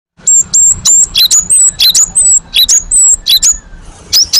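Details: Cinereous tit, locally gelatik batu, in a recording used as a master lure to draw replies from other birds. High, clear whistled notes come in quick bursts, some long and level, some short and dipping. A faint low hum sits beneath.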